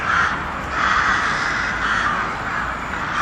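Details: Crows cawing very loudly: grating, overlapping calls form a dense wall of sound with short louder pulses.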